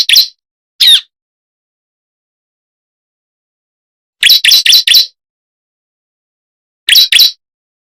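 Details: Lure call of the bar-winged prinia for drawing in birds: a couple of single sharp chips, a long silence, then a fast series of four metallic notes and a closing pair.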